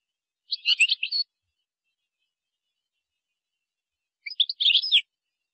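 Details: Moroccan European goldfinch singing in the style called qazarat and srrr bartbartio: two short bursts of high, scratchy twittering notes separated by a long silence, with no other sounds.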